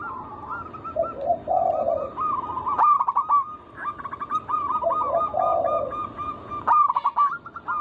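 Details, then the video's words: Zebra doves of a local wild strain, used as a lure to set other doves singing. Bubbling, rapid cooing phrases repeat with lower, soft purring coos between them, and overlapping birds suggest a small chorus. "Pancingan burung perkutut lokal alam gacor suara mengundang bunyi langsung emosi"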